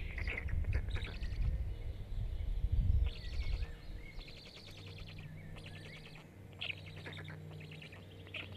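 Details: Five Black stork chicks begging while being fed at their nest in Jõgeva County, Estonia, 29 May 2022, from a nest camera: clustered buzzy, rasping calls in quick runs, with heavy low thumps and rustling of movement.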